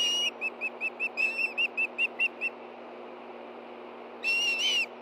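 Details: At a nest in Hellgate Canyon, Montana, on an August 2013 morning, hungry Ospreys react as a fish is brought in: a rapid string of about a dozen short whistled chips, then a pause and a loud two-part whistle.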